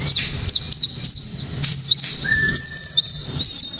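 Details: Pleci kaca mata, a white-eye, delivering a sharp, clear 'tembakan' lure song: short clusters of very high, quickly falling notes, with a steady lower whistle-like tone running briefly through the middle.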